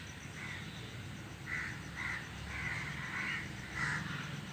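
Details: A group of crows sitting together in a tree, giving harsh caws in an irregular series of about seven, some overlapping, over a steady low rumble of background noise.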